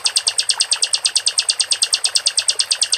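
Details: Rapid, regular, high ticking trill from a caged sikatan londo flycatcher, roughly three pulses a second held evenly throughout.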